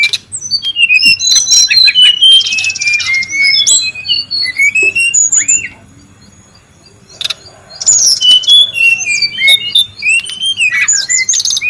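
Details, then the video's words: Brown-chested jungle flycatcher, wild, noisy lure-type calling: quick high chips and upslurred whistles in bursts, a quiet pause mid-way, then the busy chatter resumes. "SUARA PIKAT DAN MASTERAN BURUNG SRDC(sikatan rimba dada coklat) RIBUT DI ALAM LIAR"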